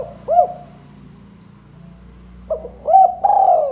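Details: Spotted dove giving its 'kuk 2' call, played as a lure to trap other spotted doves: one soft arched coo, a quiet gap with low background rumble, then two more coos ending in a long descending note.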